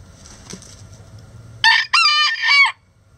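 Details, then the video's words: Chicken giving a loud three-part call. A short harsh note is followed by two longer, strained, harmonic phrases, after faint background noise. "Chicken Sounds Egg Song | Rooster Crowing"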